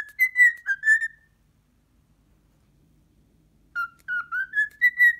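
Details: First encounter with a muscat grape leaves an indoor pet cockatiel afraid; repeated whistled notes come in a brief opening burst, a long quiet gap, then a lively run of about seven whistles.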